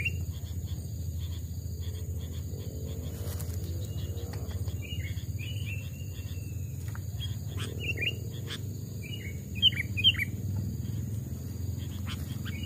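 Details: Caged Sooty-headed bulbul, trapped and two to three years old, in a forest vocal test; scattered short phrases of liquid whistled notes, a few louder sharp ones late on, amid steady low rumble and clicking.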